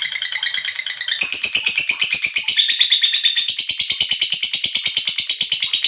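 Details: Lovebird giving the long ngekek trill used as a lure for other lovebirds: a continuous, fast, rattling chatter of high notes that runs without a break for nearly six seconds after a short opening phrase.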